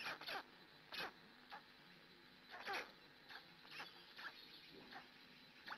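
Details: Black stork at a nest in Hungary, female tending her chicks, 6 a.m. in 2017: short broad rasping calls burst out about once a second, some doubled, with faint high ticking above and a steady background hiss.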